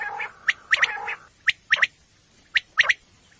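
Common quail repeating its sharp, liquid three-note 'wet-my-lips' phrase about once a second, with a low hum early on.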